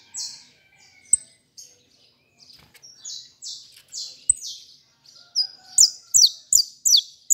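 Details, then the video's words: Saffron finch beginning to sing: a series of high, buzzy slurred notes given one after another, ending in a fast, loud run of sharp repeated chirps; faint clicks in the background. "canário da terra cantando"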